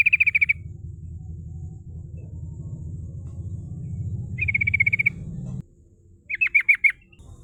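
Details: A female sooty-headed bulbul giving rolling 'ngerol' calls used to lure rivals: three short bursts of rapid notes several seconds apart, the last made of slurred, downward notes, over steady low rumbling noise that stops near the end.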